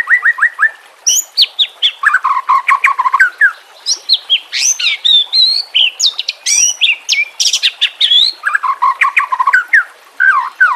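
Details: White-rumped shama song used as master training song for captive birds, set with nature sounds and trickling water: rich, varied phrases of rapid descending notes, then high sweeping whistles and clipped chips, with low rolling notes returning near the end.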